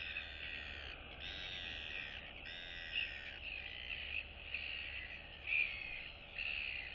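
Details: Royal albatross chicks greeting and interacting with neighbouring chicks in the colony on 9 September 2022 trade nasal, whining calls, each about a second long, roughly one a second, over a steady low wind rumble.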